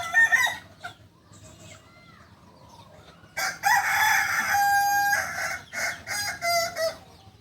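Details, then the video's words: Kokok Balenggek rooster from Solok, West Sumatra, Indonesia, a singing chicken known for crowing in many tiers; a short crow opens, then after a quiet gap a long crow runs for almost four seconds, splitting into about five separate tiers. "Ayam kukuak balenggek ayam asli solok sumbar"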